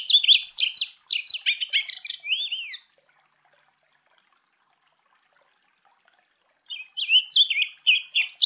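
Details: Chestnut-capped blackbird delivering a dense burst of jumbled, slurred whistled notes for about three seconds, then a long silence before a second quicker phrase of rising and falling whistles begins.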